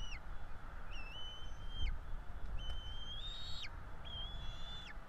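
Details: Bald Eagle chicks, a pair being fed in a Florida nest on 5 April 2022. Four long, level, thin whistles each fall away at the end, evenly spaced about a second apart, over low wind rumble.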